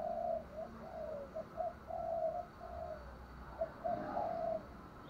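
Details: Spotted dove calling to lure: faint, low, drawn-out coos strung together in uneven groups, with a constant hiss behind them.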